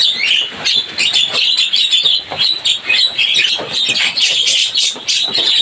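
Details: Javan myna, locally called jalak kebo, giving a busy, noisy chattering song: dense, scratchy chirps and squeaks run almost without pause through the whole stretch, with no other clear sounds.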